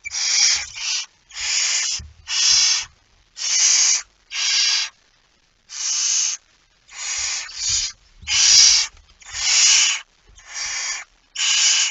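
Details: A barn owl in Friesland, at 01:49 on 17 September 2019 and with a mouse, gives harsh, breathy hissing screeches, each about half a second long, repeated roughly once a second, with soft low knocks in the background.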